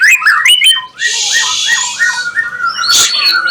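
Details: White-rumped shama singing on seeing another bird: sharp high chirps, then a long hissing buzz over repeated slurred whistles, ending with a burst of loud notes.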